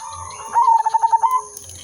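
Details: Zebra dove of the silver udanmas type, singing as a lure for calling and trapping birds: one stuttered cooing phrase of about eight quick pulses on a steady mid pitch, under a second long, over a faint low hum.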